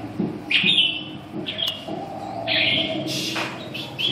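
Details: Red-whiskered bulbul giving short bright whistled phrases with quick up-and-down notes, in bursts with pauses, over a low background hum and faint voices.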